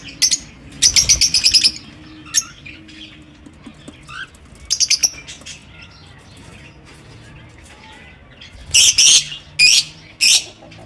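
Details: Pet lovebirds in an aviary chirping: rapid bursts of shrill, buzzy chirps near the start, scattered single squeaks through the middle, then a loud cluster of harsh, grating chirps toward the end over faint background chatter.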